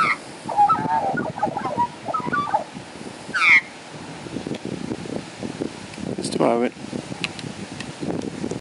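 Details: Two Australian magpies waiting outside a door for lunch on 15 June 2013 give scattered harmonic calls, some warbling and some harsher, plus one bright swooping note, over a faint murmur of background sound.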